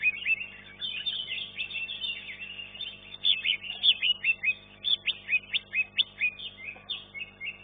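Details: Caged green leafbird singing in a bird-song contest, placing third: a rapid, high, chattering torrent of twittering notes that turns into a run of sharp, evenly spaced emphatic phrases.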